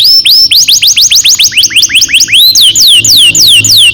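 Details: Canary long-roll song used as a training lure for young canaries: a string of rising whistled notes, then slower, high, clear whistles falling in pitch.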